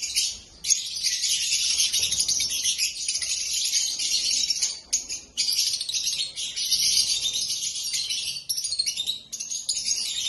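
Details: A group of black-masked lovebirds producing busy, high-pitched twittering that runs almost without break, with brief lulls at about five and nine seconds.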